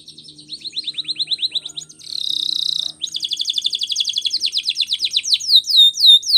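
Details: Canary song used for training, in Spanish Timbrado style: fast series of descending high notes, then a buzzy sustained trill near two seconds, followed by rapid repeated rolling notes and sharp downward whistles at the end.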